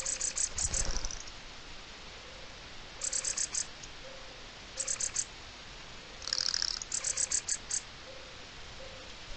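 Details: Rattling alarm call of a mistle thrush, recorded 04-05-23, with bursts of dry clicks every one to three seconds and a soft low note from another bird repeating in the background.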